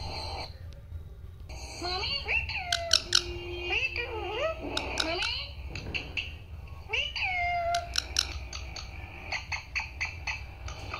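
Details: Parrot talking "Papa" and "Mummy", a longer run of raspy, speech-like syllables with swooping pitch, broken by sharp clicks and short pauses, indoors with steady low background hum.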